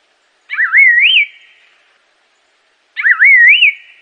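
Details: Two loud, clear whistled phrases from an Assam laughingthrush, each undulating low then rising to a bright crest and dropping, repeated about every 2.5 seconds in an otherwise quiet recording.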